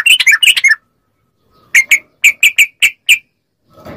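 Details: Yellow-vented bulbul, recording meant to prompt caged bulbuls to respond: a brief tumbling cluster of chirps, a pause, then six evenly spaced bright notes, ending with faint rustle.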